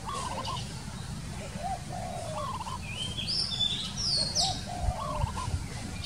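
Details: A wild spotted dove gives low, bubbling cooing phrases about every two seconds over a steady low rumble, with brief higher chirps from another bird.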